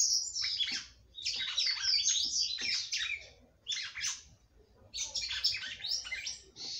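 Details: Female red-cowled cardinal, kept by a breeder, singing a lot to stimulate the male: rich warbled phrases of rapid whistled and buzzy notes high up, in bursts separated by short pauses, with a low hum behind.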